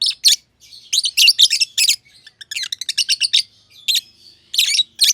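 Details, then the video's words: Lovebirds, green personata and green pied personata, chirp together in an aviary: shrill, rasping high notes in uneven clusters, some softer chatter between louder bursts. "Lovebird Chirping Sounds - Green Personata & Green Pied Personata"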